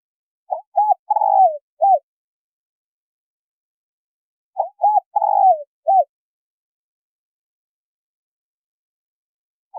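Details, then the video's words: Female spotted dove calling to stimulate a male: two four-note coo phrases about four seconds apart, short hoots then a drawn-out falling croo and a clipped end, with a new phrase just beginning. "Tiếng chim cu gáy mái kích trống gáy gù"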